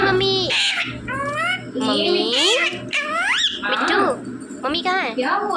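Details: Talking rose-ringed parakeet saying "mummy" and "papa" in loud, harsh speech-like syllables with sweeping pitch glides, uttered in quick bursts one after another throughout.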